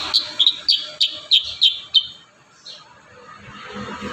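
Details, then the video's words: Kurincang in vigorous varied song, a recording for tutoring young birds: seven evenly spaced, sharp high chirps about three per second, then quiet background. "burung kurincang gacor isian"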